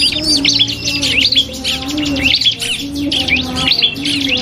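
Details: Cipoh kristal (iora) duelling in song with a prinia, on a cage-bird training track: dense, high, rapid chirps and whistled slurs rise and fall without a break over a low steady hum.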